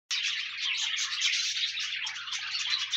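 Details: Pet budgerigars (parakeets) singing together, played so a lonely pet budgie will sing: a dense, continuous wash of high warbles, chirps and twitters from several birds, with no pauses.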